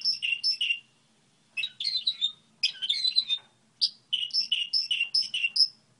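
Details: High twittering song model of a goldfinch hybrid in short bursts: pairs of sharp chirps, brief pauses, then buzzy jumbled phrases and a closing series of rhythmic two-part notes, over a faint low hum.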